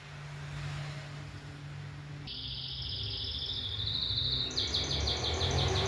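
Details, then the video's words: Canary song starts after a low hum: a steady high whistled tone, then a fast, bright repeated trill of short notes. "O IMPORTANTE É QUE O CANÁRIO CANTE"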